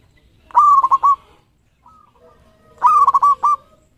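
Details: Loud cooing phrases from a champion local zebra dove. Each phrase is a strong opening note followed by several quick, evenly pitched pulses, given twice about two seconds apart. A faint coo is heard between them.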